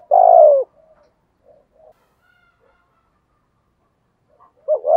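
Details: Spotted dove in the 'giọng thổ' voice style, prompted to start cooing: one long hoarse coo sliding downward, soft murmurs, then the stuttered two-note opening of the next phrase.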